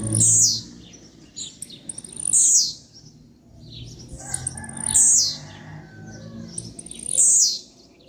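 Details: Captive blue-black grassquit from a breeder, singing. A short, very high, buzzy phrase repeats about every two and a half seconds, with low background rumble between phrases.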